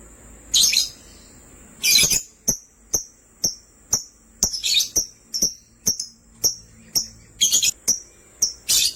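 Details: Lovebirds, a sky blue opaline and a green opaline, chirping: sharp high chirps about every half second, broken by short harsh chattering bursts.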